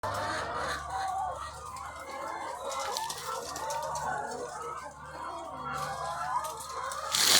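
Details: Thousands of egg-laying hens on a farm, a dense continuous chorus of overlapping clucks and cackles with steady low mechanical hum beneath and a brief louder burst at the end.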